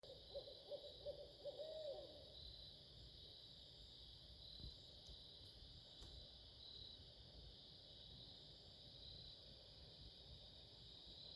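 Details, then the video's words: Barred owls calling at night: a short burst of wavering, quavering hoots in the first two seconds, then quiet apart from a steady, high insect chorus that continues throughout. "Barred owls"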